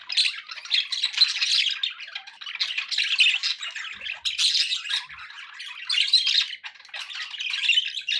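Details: A flock of pet budgerigars chattering nonstop, harsh squawky warbles and chirps overlapping in a dense, steady babble.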